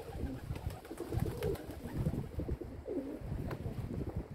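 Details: Several domestic pigeons cooing in low, throaty bursts, two clearer rolling coos standing out, amid rumbling low background noise.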